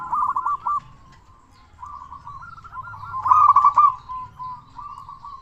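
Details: Zebra dove of local stock, a lively singer used to provoke other doves into calling, gives stuttering trilled coos, a quieter rolling series, then a louder burst of rapid notes before softer coos.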